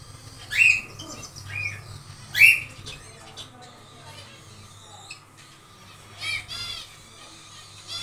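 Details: Zebra finches building their nest in a small aviary on the second day: loud, clear nasal 'meep' calls at the start and around two seconds, then a burst of rapid buzzy notes near the end, with quieter chatter and a low hum between.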